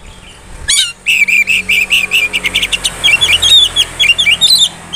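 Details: Oriental magpie-robin singing to provoke rivals, a rapid series of clipped, evenly spaced chattering notes giving way to twisting high whistled phrases, over a low steady background hum.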